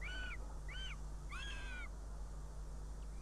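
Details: Three plaintive, slurred wails rise and fall at a Northern goshawk nest in Riga, Latvia, 19 June 2017, after the female delivers prey and leaves her chick. The last call is longer and doubled, and low steady humming continues underneath.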